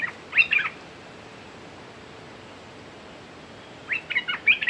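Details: Red-whiskered bulbul decoy calling to draw in a territorial wild bird; a short burst of lively chirping notes opens the recording, silence follows, then a longer run of bright, jumpy warbled phrases near the end over faint hiss.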